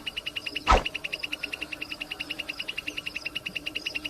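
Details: Wild plain prinia in nature giving a long run of even, buzzy notes repeated rapidly at a steady pace, with one sharp click near the start and a faint low hum behind.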